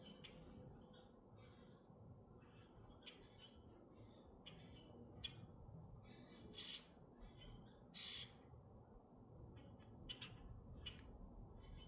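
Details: Several grackles in Minnesota calling over twelve seconds: scattered short, harsh, scratchy notes and clicks, some louder squawks near seven and eight seconds, over a constant low background hum.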